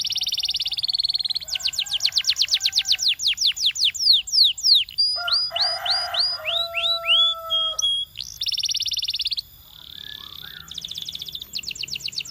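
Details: Belgian canary song used for training: rolling buzzy trills, rapid descending note series, a harsher chattering passage with drawn-out whistles, then more fast rattling trills.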